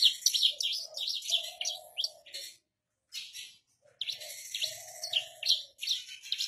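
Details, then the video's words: Javan bush lark kept as a cage bird, singing calmly on a stone. Short series of bright, high chirps and a brief pause are followed by more twittering, with a soft, low coo in the background. "Branjangan Javanica Gacor Istimewa - Ngerol Anteng"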